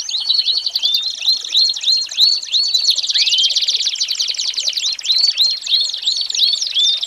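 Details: American Singer canary tutor song for young birds, a series of bright rising whistled notes about three per second over a continuous fast trill, with a long rolling tour in the middle.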